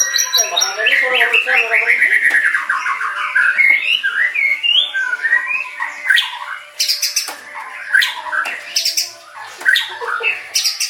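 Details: White-rumped shama song. Strings of quick, descending whistled notes give way to scattered sharp chips and short buzzy bursts, spaced roughly a second apart toward the end.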